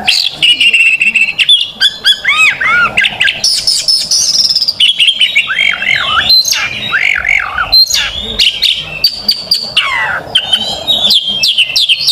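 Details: Fighting oriental magpie-robin in loud, full-throated 'gacor buka paru' song, used as a master to tutor and lure young magpie-robins: a non-stop stream of arched whistles, long high piping notes and harsh buzzy bursts over twelve seconds.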